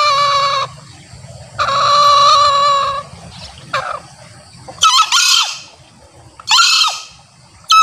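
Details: A male green junglefowl gives two drawn-out, nasal cackling calls, then two short, hoarse, rasping crows about two seconds apart; such calls are used to lure wild junglefowl and to prompt captive males to answer and crow.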